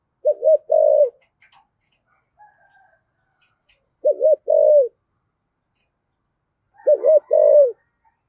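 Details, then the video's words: Spotted dove in the deep 'giọng thổ' voice style, used to spur a newly caught dove to coo: low two-part coos, a quavering double note then a longer steady note, three phrases about three seconds apart, with faint chirps between. "cu gáy giọng thổ giọng hay thúc gù bổi nghe gáy theo sung mãn"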